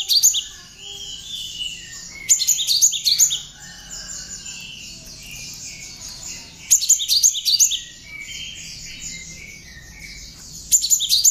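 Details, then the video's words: Cinereous tit song with bar-winged prinia notes worked in, for training other songbirds. Loud bursts of rapid, sharp high chirps come about every four seconds over a steady wash of repeated thin, high downslurred notes. "Kicau Burung gelatik batu (Wingko) isian ciblek cocok buat bahan masteran"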